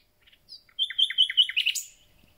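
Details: Common nightingales, just arrived and starting their concert: soft introductory notes, then a rapid string of five or six downslurred notes beneath a steady high tone, ending in a sharp rising flourish. The phrase lasts about a second and a half.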